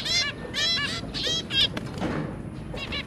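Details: Zebra finch parents and their three babies, January 2022. Several drawn-out, trumpet-like nasal calls follow in quick succession, then a soft broad rustle and one more call.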